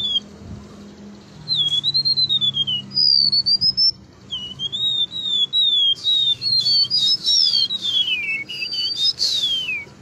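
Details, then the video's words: Singing golden-bellied gerygone gives a string of high, sweet whistles that waver and slide downward, growing busier near the end with overlapping squeaky notes over a low background drone. "Remetuk laut gacor lepas kandang || burung siur siur"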